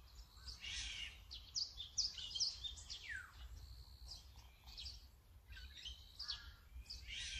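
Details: Azure-winged magpie calling in scratchy, harsh bursts and short high notes, with a descending slur in the middle, several calls overlapping in a busy stretch.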